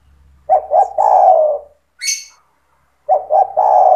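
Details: Spotted dove in full song, used for training young doves: two low cooing phrases, stuttered double note then a long drawn coo, separated by a short high chirp from another bird and a faint low hum.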